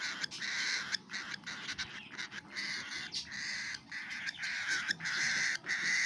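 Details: Harsh, buzzy rasping from a cockatiel chick while it eats, in uneven pulses about one or two per second, some strung into longer grating stretches, over a quiet background.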